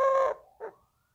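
A Eurasian collared dove gives a low, hollow coo, one longer note and a brief softer second, followed by a faint rising whine.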